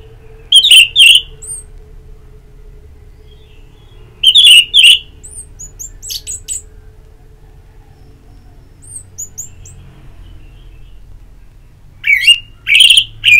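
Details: Orange-headed thrush ngeplong therapy song: three loud bursts of paired harsh, buzzy whistled notes spaced about four seconds apart, with faint high twitters between them and a low steady hum.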